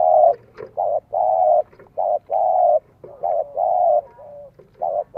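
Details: Spotted dove in the "giọng son 1 cốt" voice style, used to lure wild doves in Vietnam: phrased mellow coos, each a low hollow note held about half a second, run in groups with brief gaps.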